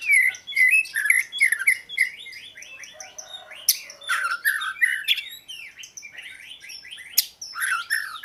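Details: Continuous Oriental magpie-robin song, a rich medley of slurred whistles, chirps and scratchy notes repeated about twice per second, with occasional sharp clicks.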